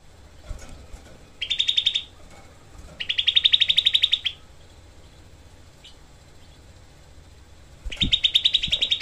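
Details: Grey-cheeked bulbul, a small bird, giving its dense, harsh 'tembakan' rapid-fire song as a tutor for training songbirds: three bursts of fast, rasping repeated notes, each lasting about a second, separated by quiet gaps and soft clicks.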